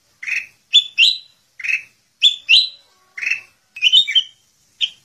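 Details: Male sooty-headed bulbul in full isian song alternates rough chirps with bright rising paired whistles, about ten notes in five seconds, closing with a brief jumbled flourish; otherwise quiet.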